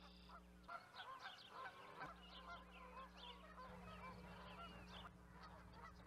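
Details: A crowd of Canada geese calls at once, with rapid, overlapping honks and higher yelping notes tumbling together, backed by a steady mechanical hum.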